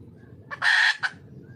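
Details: Wild red junglefowl hen calling for a male, a single loud hoarse squawk with a short click before and a brief cluck after.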